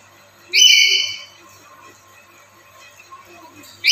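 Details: A black-capped lory, used as a lure to set other lories calling, gives a loud, shrill, ringing screech lasting under a second, then a second screech starting at the very end; otherwise quiet.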